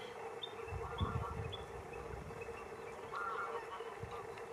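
Common shelduck giving short nasal honking calls, about two bursts a few seconds apart, over a steady droning hum and low rumble, with faint high whistles.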